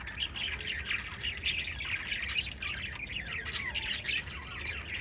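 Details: Five lovebirds give continuous shrill, squeaky chirps, overlapping and chattering with quick rising and falling notes, steady and busy from start to end.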